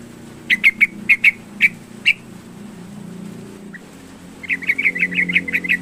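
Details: Energetic yellow-vented bulbul song, used as a lure to get a lazy bulbul singing: separate sharp chirps at irregular spacing, a lull, then a fast run of repeated bright notes.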